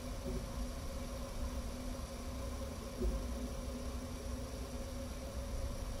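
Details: Steady mechanical hum and broadband noise near an eagle nest in Minnesota on a June afternoon, with no animal calls heard.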